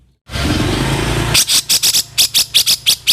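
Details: Grey-cheeked bulbul, recorded as a master for cage birds, giving rough calls: a second of low hissing background, then around ten loud grating rasps repeated rapidly and evenly.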